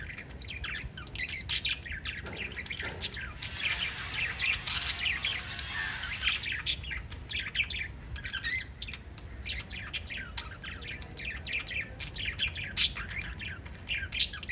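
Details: Five lovebirds keep up a busy chatter of sharp, high chirps and squeaky notes.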